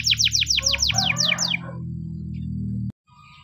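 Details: Morning training song of a Spanish Timbrado canary: a short run of about eight descending slurred notes, then a steady low hum and a sharp click before near silence.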